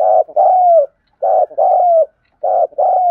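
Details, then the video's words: Spotted dove giving the intense 'thúc gù' cooing style, used for training decoy birds: three deep mellow phrases, each a short burred note followed by a longer coo sliding gently downward, repeated about every 1.2 seconds, with no other sounds. "Tiếng chim cu gáy thúc gù cực đỉnh"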